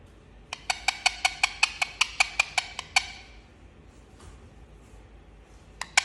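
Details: Pet Indian ringneck parakeet calling: a brisk string of about thirteen harsh, rasping squawks at a steady quick rhythm, then a silent gap, and two more sharp squawks at the end.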